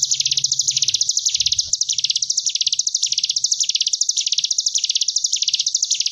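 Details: Sunda bush warbler (ciblek gunung) training song in the buzzing ngebren gelombang tawon style for young cage birds: a dense, unbroken high-pitched buzz pulsing rapidly, rising and falling in regular waves roughly once every half-second.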